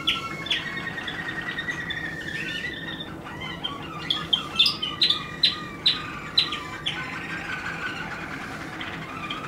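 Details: Waterslager canary song: sustained whistled tones with a stutter of sharp, rapid clicking notes through the middle, then bubbling trills and a low held note at the end, over a steady background hum.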